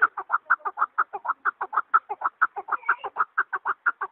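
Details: Chukar partridge repeating sharp, throaty chuk notes about twice a second, steady and rhythmic, some notes paired, with a quiet background.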